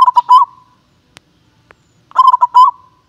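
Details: Contest-class local zebra dove, often a winner, gives two clipped phrases of quick, pulsing, mellow coos that finish in a short rolling note, separated by silence broken only by faint clicks.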